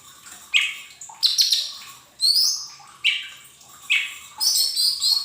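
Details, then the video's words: Lesser green leafbird song for training caged birds to sing: rapid repeated bursts of high, buzzy chirps and rising whistles, about one burst per second, over a quiet hum. "Pancingan cucak ijo mini bahan agar cepat bunyi"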